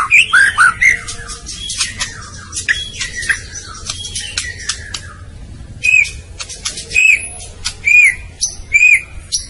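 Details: White-rumped shama (murai batu) song offered as training audio for songbirds: dense bursts of sharp chips, buzzy and ringing notes, then from about six seconds clear arched whistles repeated roughly once per second.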